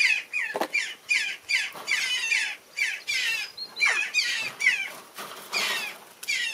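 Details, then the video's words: A baby jackdaw begs with harsh, rasping squawks, repeated rapidly about two or three times a second in an insistent, almost unbroken stream. "Ever wondered what a baby jackdaw sounds like?"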